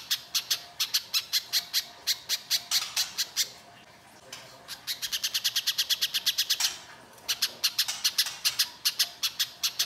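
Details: Little spiderhunter delivering rough lure song meant to draw responses from other spiderhunters: bursts of high, dry, staccato chips separated by short gaps, the rhythm a little uneven.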